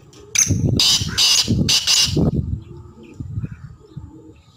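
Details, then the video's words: Black francolin calling a fast series of four or five loud, harsh, grating notes, with low thumping background noise that continues after the call. "kala teetar ki chhk and awaz"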